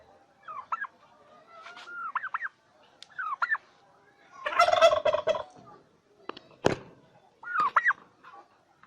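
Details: Farm turkeys in Bangladesh giving looping, wavering yelps, then a loud, rattling gobble in the middle, a sharp clack, and more yelping afterward.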